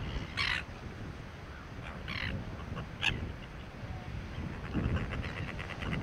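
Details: Greater crested terns at a breeding rookery on Penguin Island, Western Australia, sitting tight on nests and calling as marauding Silver Gulls hover overhead; short harsh calls burst out at scattered intervals over steady low wind and surf rumble.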